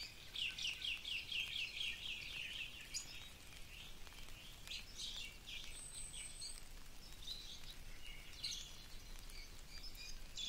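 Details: Wild birds singing in a tropical forest on the Big Island, Hawaii, during gentle rain; a rapid series of about ten repeated chirped notes, then scattered sweet phrases and a thin whistle, over steady patter of rain.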